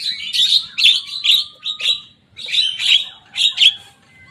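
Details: Young Javan myna imitating rivals' songs: loud, grating chatter delivered in short punchy bursts of about a third of a second, with a thin level whistle running underneath.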